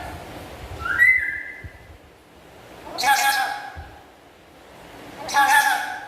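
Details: Pet black-capped lory chattering: a rising, slurred whistle near the start, then two harsh, broadband squawks spaced about two seconds apart, with quiet room noise between.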